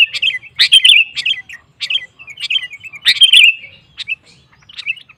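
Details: Excited sooty-headed bulbul song used to stir rival males: short clusters of bright, squeaky chattering notes with crisp clicks, delivered in uneven bursts separated by short gaps.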